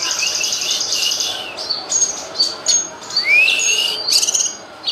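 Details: Cucak kinoy tutor song: a run of rapid high trills, short clipped chirps, then a sharply rising whistle and more chatter.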